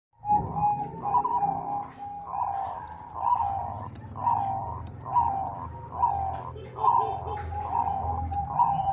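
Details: Bangkok-type zebra dove, a contest champion, gives mellow coos, roughly one phrase per second, over a low background hum.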